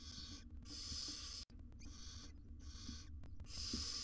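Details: Wild barn owl nest box with a mother grooming tiny chicks, monitored for research; breathy, broadband hissing bursts about half a second long, repeated with short silent gaps, over a low steady hum.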